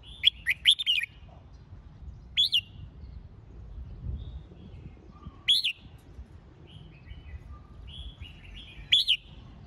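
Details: Red-whiskered bulbul singing as training for competition singing: short bright whistled phrases, an opening cluster of three or four looping notes then single rising whistles about every three seconds, with softer chirps of other birds between.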